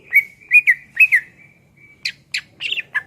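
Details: Greater green leafbird, an energetic singer in a tutor recording: clear slurred whistles repeated about twice a second, then a few harsher buzzy chirps, in a quiet setting.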